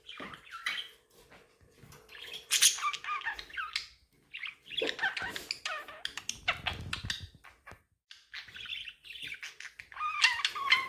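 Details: Several budgerigars chatter in a busy, overlapping stream of warbled chirps and short squeaky notes, with quick pitch swoops and brief pauses. Bursts come in clusters, and one sharper squawk-like note stands out near the middle.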